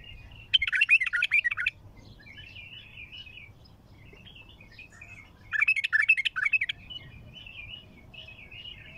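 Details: Bulbul with a strong, raw, heavy-throated song: two loud bursts of rapid, jumbled chirping notes about four seconds apart, with softer, thin warbling twitters between them over a low background hum.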